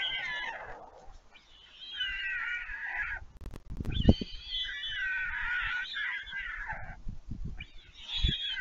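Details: White stork siblings beg at the Leemansmolen nest in Vriezenveen, Netherlands, on 11 July 2022. They returned after flying out when a parent landed with food. Drawn-out, mewing, harmonic cries are broken by short pauses, with low knocking bursts midway.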